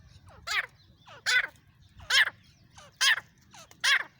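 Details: Female grey francolin recorded on an iPhone: harsh, rasping calls given singly, each preceded by a softer downslurred note, about one every 0.8 seconds over a faint low hum.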